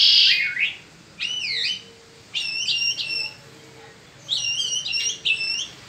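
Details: A peninsular mockingbird sings in spring, giving clear zigzagging whistled phrases in separated bursts, some notes doubled.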